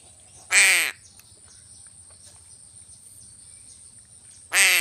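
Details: Crow calling with a loud, coarse, harmonic caw, then a pause of about four seconds before a second identical harsh caw cuts in.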